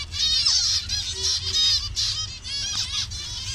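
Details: A Bangladeshi colony of zebra finches in assorted colour variations, giving loud, nasal, honking calls in rapid groups of several notes, with short gaps between bursts.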